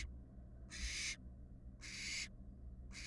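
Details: Drawn-out breathy screeches from barn owl fledglings in a Florida nest box, 2022, recorded by a live cam: three long noisy hisses about a second apart over a quiet low hum.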